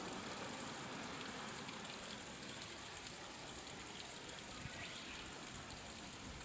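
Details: Steady broadband hiss like rain or rushing water fills the recording, with no animal voice standing out.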